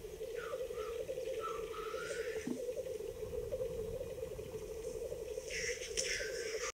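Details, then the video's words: Lekking black grouse in April 2020 on the Ketmen Range, Kazakhstan, Dardamty hunting area, iPhone recording: unbroken low bubbling chorus with a drawn-out rising wheezy note early on and a loud hoarse hissing burst near the end. "Ток тетерева"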